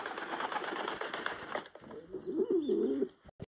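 A pigeon gives one low, soft, throaty coo lasting about a second, after a burst of rustling, flapping noise.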